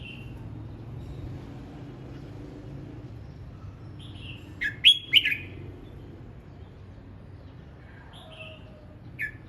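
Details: Red-whiskered bulbul practising its song: mostly quiet, with one bright, quick warbled phrase in the middle, a few softer whistles after it, and a steady low background hum.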